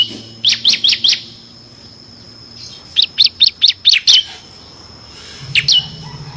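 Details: Bar-winged prinia singing in the full 'ngebren' style with six variations, used as a training model for competition songbirds: a burst of four sharp, high chirps, a pause, then six more evenly spaced chirps and a final pair, on a quiet background.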